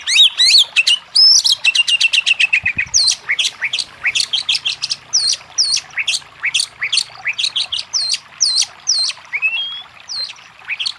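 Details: Oriental magpie-robin song used to stimulate a quiet bird to sing, a rapid series of loud high whistled and sharply down-slurred notes, some buzzy trills, repeated steadily several times per second.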